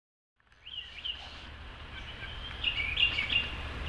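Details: A Brown Thrasher sings at twilight on 1 June 2013 from the top of a distant tall tree: a quick run of varied, slurred and warbled notes, brightening into sharper phrases near the end, over a steady low rumble.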